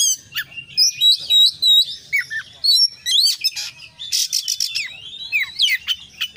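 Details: Oriental magpie-robin, a kacer in full song packed with varied phrases: rapid rich whistles, sharp rising and falling notes, buzzy bursts and fast chattering runs delivered almost without pause.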